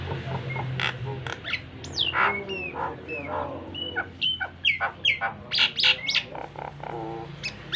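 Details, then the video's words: Model song of a Nias hill myna for pet mynas to learn, with slurred whistles, sharp upward notes and chattering bursts over a steady low hum. "BURUNG JALAK NIAS GACOR FULL ISIAN"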